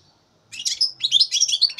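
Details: Juvenile European goldfinch, three months old, 2015: after a brief quiet start, one dense, rolling burst of high, liquid twittering and buzzy chirps runs unbroken to the end.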